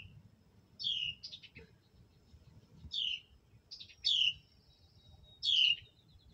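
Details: Hatchlings being fed by their mother bird: sharp, high, down-slurred chirps in short bursts, roughly one every one to one and a half seconds, over a low rumbling background.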